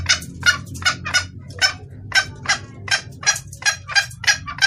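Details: Female red junglefowl calling the male, with a clear voice used as a lure. Steady harsh clucks repeat about twice a second, with a short lull near the second second, over low hum.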